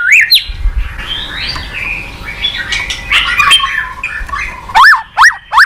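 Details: Shama (murai batu) lure singing: a soft jumbled warble after a bright whistled opening, ending with three loud, clear, sharply rising and falling whistles.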